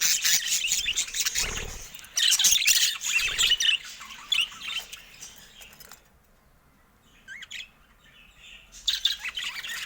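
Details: Caged budgerigars, several birds, pecking at a camera: dense scratchy warbling chatter with rapid high chirps and squawks for about six seconds, then a near-quiet pause with faint chirps, and the busy chatter returns near the end; occasional soft low thumps.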